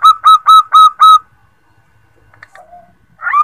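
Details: A female zebra dove calling to males, used as a lure for trapping: five loud, clipped, mid-pitched cooing notes, about four a second, then a pause and a softer rising note.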